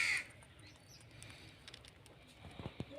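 An Indian ringneck parrot gives one short, harsh screech at the start, then a quiet stretch with faint knocks and rustles.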